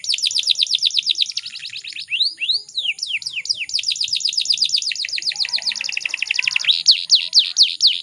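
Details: A female canary's call used to lure males into singing: high, rapid chirps tumble together with sharply downslurred sweeps and quick trilled runs, bright and nearly continuous throughout.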